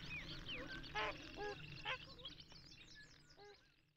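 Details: Trumpeter swans in Minnesota pattering across the water to take off, then calling in flight: loud, nasal, horn-like honks about half a second apart, over higher waterbird chatter and a low rumble.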